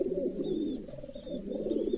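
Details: Girebaz pigeon from a 40-year-old breeding line, cooing steadily in a dense, low, rolling murmur that swells and fades, with faint high chirps from other birds.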